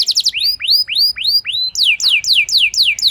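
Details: Lure song of a canary to make a reluctant one respond: clear repeated upward-arcing whistled notes about four per second, then quicker sharply falling notes.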